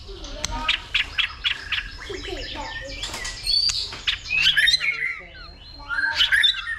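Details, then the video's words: Caged white-rumped shama male singing a fighting song, stimulated by a female: rapid varied whistles and chirps, sharp notes and rising slurred phrases, several loud bursts; faint low background hum. "Chòe lửa kích lửa DÌU BỔI,tạch liên tục đập đuôi kích chòe lửa lên lửa hót đấu"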